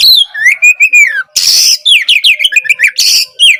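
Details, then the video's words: Oriental magpie-robin (kacer) in lively gacor song, used to prompt silent birds into singing: clear sliding whistles, a long arched note, then two harsh buzzy bursts between quick chirped, falling whistle notes. "Masteran Kacer gacor ampuh memancing Kacer macet malas bunyi langsung nyaut gacor!"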